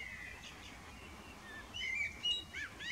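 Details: Male common blackbird singing an evening serenade: a thin, steady whistled note, then short fluted phrases rising into squeaky high twitters near the end, over quiet outdoor background.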